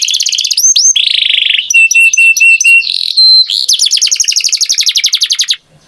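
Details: A canary in full song: rapid rolling trills, a short series of steady evenly spaced whistled notes, a single pure held tone, then a long fast chattering trill that stops abruptly.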